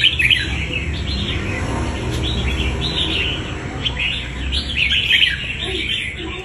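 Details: Fast, bubbly chirping and short whistled phrases from a wild-caught red-whiskered bulbul trained for fighting, steady across the recording above low background rumble.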